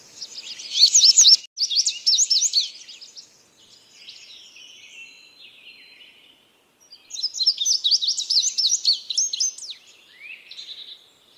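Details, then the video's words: Indigo bunting repeating a dense phrase of fast, high, sliding notes, a quiet stretch of soft buzzy twitters, then the phrase again in full. "suara Burung Indigo Bunting ||Burung kenari Biru"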